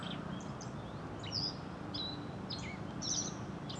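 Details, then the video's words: Black-faced bunting filmed with a GZ-HM690 camcorder on a tripod, male black around the eye and female present: thin, sharp high chips spaced irregularly, roughly one every second or two, over steady low background noise. "アオジ鳴き声 A song and a call of Black-faced bunting"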